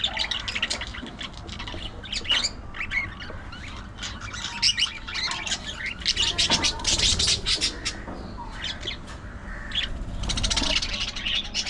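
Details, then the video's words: Budgerigars chattering nonstop: dense, scratchy, high warbling with rapid clicks and buzzy squeaks, swelling in bursts throughout and louder near the middle and end. "Hilarious Budgie Moments: Gossip"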